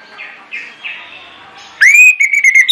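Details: Orange-headed thrush used as a singing lure for other birds. A few faint, soft notes lead into a sudden loud, clear whistle that rises and then holds steady in broken pulses.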